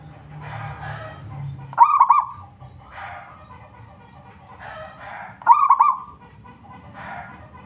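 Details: Local zebra dove singing two quick, warbling coo phrases about three and a half seconds apart, over faint murmuring background sounds and low hum.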